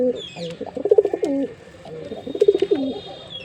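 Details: Low warbled cooing from a male jeera pigeon showing off, two complete rolling phrases with a falling finish, faint room noise behind.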